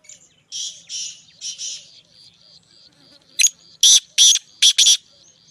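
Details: Black francolin (black teetar) singing in Punjab. Harsh, buzzy, rasping phrases are followed by a series of louder, grating bursts in quick succession.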